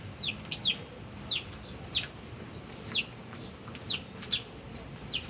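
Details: Captive albino and Fischer's lovebirds feeding and playing; sharp, high, downslurred chirps repeat about every half second to second over a soft background hiss.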